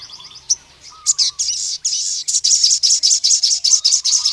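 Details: Ruby-cheeked sunbird (sogon), a male calling to rival males: scattered high chips that build into a fast, even run of sharp, high-pitched notes repeated about two or three times a second, with a lower warbling chatter underneath.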